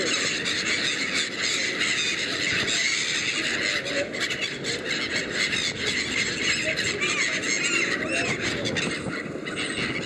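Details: A crowd of black-headed gulls by the River Thames at Westminster Embankment, London, keeps up a constant chorus of harsh, overlapping squealing cries as they beg for food, with faint outdoor background noise.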